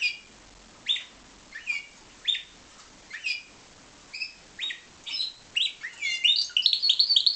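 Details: Pied Timbrado canary bred in captivity: separate high chirped notes at first, coming faster and faster until they merge into a rapid, rolling trill at the end.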